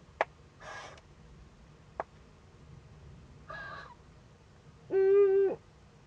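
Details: Eurasian eagle-owl nest, northern Rhineland-Palatinate, Germany, 15 May 2013, as a young owl makes first contact with an adult. Rasping hisses and clicks come first, then a steady, level harmonic call closes the passage.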